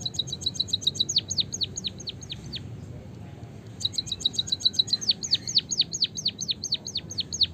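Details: Canary-like song of a white-headed munia, played to encourage munias to sing: fast strings of high pips running into steeply falling whistled sweeps, a brief pause, then the same rolling phrase again, louder and longer.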